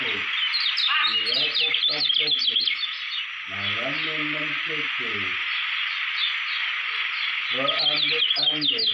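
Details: A Lombok white-eye contest bird delivers fast, sibilant high chattering with sweeping note clusters. Stuttering lower harmonic bursts start and stop in short runs.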